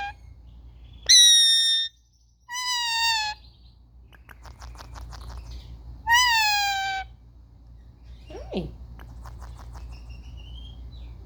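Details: Indian ringneck parrots playing, filmed on a phone: three loud, harsh, nasal squawks with a lower shorter call between them. Soft chatter and rustling follow.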